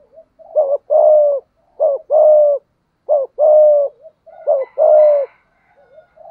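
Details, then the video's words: Malaysian spotted dove performing thúc gù: a clipped rising note, then a sustained mellow coo, repeated in four even phrases. Faint thin chirps from another bird appear near the end. "Tiếng chim cu gáy thúc gù, cu gáy malaisia gù thúc bài bản, chim cu gáy thúc gù bài bản"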